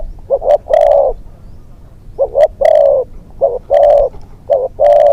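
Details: Young spotted dove serving as a hunting decoy, on its second training outing, repeats clear hollow cooing phrases: two short rising notes then a long drawn coo, phrase after phrase, with little background noise.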